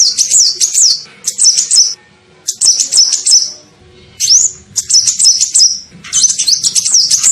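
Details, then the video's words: High-pitched sunbird lure call meant to attract birds, delivered as repeated fast chattering phrases of zigzag notes with occasional upslurred single chirps, short gaps between bursts, slight background hum. "SUARA PIKAT KOLIBRI NINJA"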